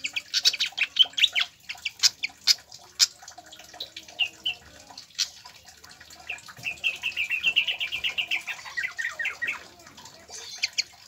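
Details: Pied fantail song played to stimulate captive birds to sing: bright high whistled notes and sharp chips, then a rapid rising-falling trill of clear notes near the end, with faint dripping water in the background.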